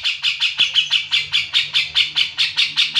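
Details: Cucak jenggot (grey-cheeked bulbul) chattering: a brisk, steady series of about fifteen rasping notes in three seconds, with a faint low background hum.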